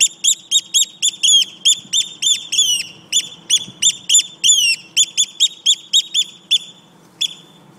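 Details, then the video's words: Eurasian oystercatcher near its nest, feigning injury to lure an intruder away, giving loud, shrill piping whistles repeated about three times a second, some notes slurring downward, with faint low background rumble. "Strandskata spelar skadad"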